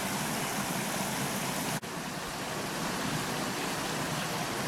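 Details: A dense, rushing hiss like flowing water or heavy rain fills the whole recording, with a brief dropout near two seconds and no animal calls.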